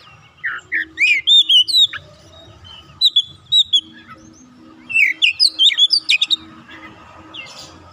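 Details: Kacer, or oriental magpie-robin, an untrained bird quickly singing: groups of clear whistles and chirps in three bursts, separated by short pauses, with a faint tonal hum and low background noise throughout.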